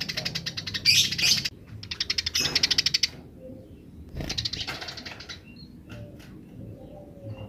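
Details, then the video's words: Eurasian tree sparrows, wild birds answering, in fast 'grece' rattles: trains of quick, evenly ticking chirps in the first three seconds, then a softer, scattered chatter fading out. "suara burung gereja liar grece"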